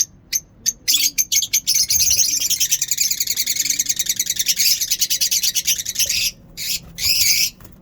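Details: Lovebirds singing in the morning in a mini zoo: shrill, rapid chirps that begin as separate sharp notes and then merge into dense, overlapping high-pitched chatter. The chatter breaks off briefly near the end, then returns as a final burst.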